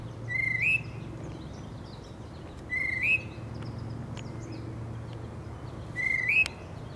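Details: A male tufted titmouse in spring gives a clear whistled phrase that slurs upward at the end, three times over seven seconds, with fainter high chips from other birds and a low hum underneath.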